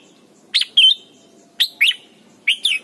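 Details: Red-whiskered bulbul, Thailand, in a recording meant to tutor young birds: three quick paired phrases of bright, slurred whistles, each a sharp chip then a drawn-out clear note, delivered in close succession over faint hum.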